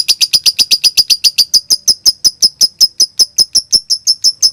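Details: Lovebird in 'konslet' style used to trigger other lovebirds to sing: crisp, high clicking notes in a quick series, starting fast and slowing slightly, each note short and sharp.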